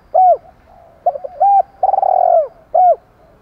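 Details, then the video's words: Spotted dove in 'giọng đồng pha' voice, calling hens: a loud arched coo, soft stuttered notes, another arched coo, a drawn-out pulsed coo ending in a downward slide, and a final arched note. "cu gáy giọng đồng pha gáy gọi hai hậu"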